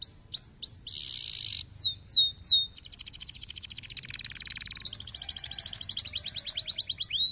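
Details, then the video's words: Canary song played to stimulate lazy canaries into singing: clear rising whistled notes, a buzzy note held for a moment, then long fast trills of rapidly repeated notes, over a low background hum. "výkonné řešení kanárského líného cvrlikání"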